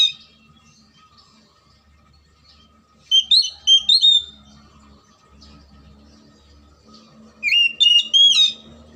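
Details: Oriental magpie-robin (kacer) song used as a lure to get silent or lazy birds singing: two bursts of loud, high, sliding whistles and chirps after a quiet start, over a steady faint hum and low rumble.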